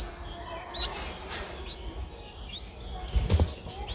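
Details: Eight-day-old streak-eared bulbul nestlings in Ubon Ratchathani, Thailand, 10 April 2023: scattered high, thin up-slurred chirps, with a burst of wing flapping or rustling near the end and low rumble beneath.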